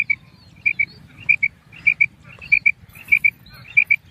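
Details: Female common quail kirak call, paired sharp chip notes repeated about every 0.6 seconds, with a low rumbling background noise and faint extra chirps between the pairs.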